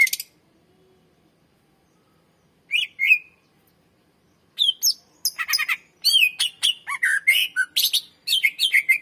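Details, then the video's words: Long 'gacor' song of a greater green leafbird, played to lure and train other birds: scattered whistles, then a lively, continuous medley of chirps, trills, slurs and harsh rasping notes. "SUARA BURUNG CUCAK IJO MASTER GACOR FULL SUARA PANJANG .COCOK PANCINGAN BURUNG BAHAN"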